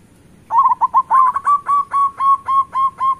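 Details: Local zebra dove song meant to make other doves sing: a crisp series of about twelve ringing, slightly bent notes, fast at first then evenly spaced, over quiet background.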